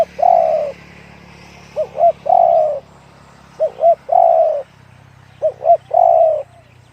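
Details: Spotted dove with a deep voice giving repeated coos: short paired notes followed by a long, drawn-out falling coo, the phrase repeated about every two seconds, with a low steady hum underneath.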